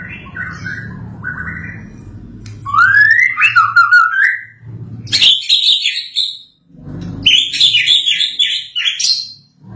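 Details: White-rumped shama singing after moulting, played as therapy for the bird: varied whistled phrases, some rising and slurred, others high and chattering, separated by short pauses over a low background hum.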